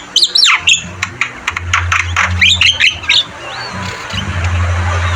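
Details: Javan myna, known locally as jalak kebo, in energetic training song: harsh squawks, sharp whistles and rapid chattering notes in bursts over a steady low engine-like hum.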